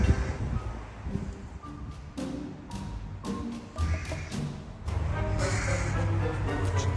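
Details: Low, drum-like music with mallet-struck tones and a steady background hum; no animal can be heard.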